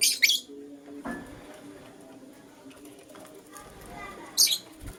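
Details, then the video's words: Morning chirping of a lutino lovebird: a harsh, high double chirp at the start and another brief burst near the end, with a soft low murmur between. "Lutino LoveBird Chirping Sounds"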